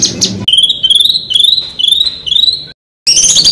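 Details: Songbird master recording for tutoring contest birds: a series of clear whistled notes, each rising slightly, repeated about twice a second, then a brief cut and a burst of harsher high notes.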